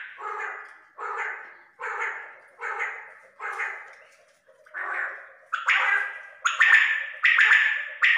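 Quail calling in a steady series of harsh, raspy bursts, roughly one every second, growing louder and sharper toward the end, with no other sounds.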